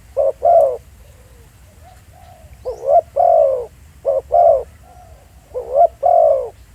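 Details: A spotted dove coos live in the field at Pha Sing. Throaty couplets, some starting with a rising note, alternate with soft faint coos in the gaps.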